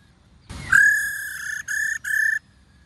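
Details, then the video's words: Female white-cheeked laughingthrush 'ro' call: after a soft rustle, a sharp onset slides into a long steady ringing whistle, followed by two shorter notes on the same pitch, then silence. "KHƯỚU MÁI RO QUÁ ĐỈNH Kích Trống Hót Căng Hót Hay"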